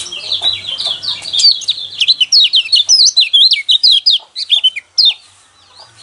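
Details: Song of a yellow white-eye, locally pleci kecial kuning, played to goad caged birds into singing. It is a bright, tumbling string of sharp up-and-down whistles that grows louder and choppier before stopping near the end.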